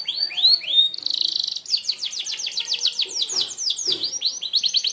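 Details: Sharp 'tembakan' song of a merlok canary, used to teach other birds: opens with slurred falling whistles, then a dense buzzy burst and a long run of rapid chipping trills and sweeps.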